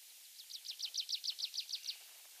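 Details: Wild tree pipit singing in a patch of mixed woodland in Mongolia: a series of about eleven high, sharp, downslurred notes, each repeated evenly around six times a second. Faint low rustling sits underneath.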